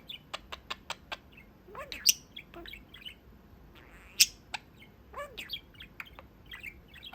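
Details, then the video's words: Male pet budgie perched at the small window of his cage, chatting with his owners; a rapid row of sharp clicks opens, followed by swooping warbled notes, bright chirps and two loud squeaks. "Talking Parakeet"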